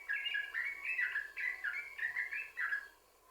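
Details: Yellow-vented bulbul song meant to lure other bulbuls into singing: a brief burst of rich, gurgling whistled notes, rising and dipping in quick pairs, fading out at the end.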